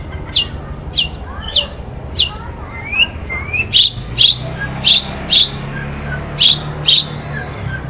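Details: Long-tailed shrike singing in the morning in Banyuwangi, used to provoke other shrikes into song: spaced harsh, buzzy bursts about twice a second, then a few rising whistled sweeps and loud scratchy notes, over low background hum.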